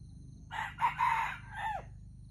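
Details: Red junglefowl in the wild, crowing in competition at a trap set with standard bait: a hoarse, clipped crow with two quick opening notes, a longer steady note and a separate falling final note, against low rural background hum and insects.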